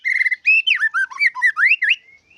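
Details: A murai batu, or White-rumped shama, sings a brief isian phrase: a level whistle, then quick rising and falling whistled slurs that end in an upward sweep.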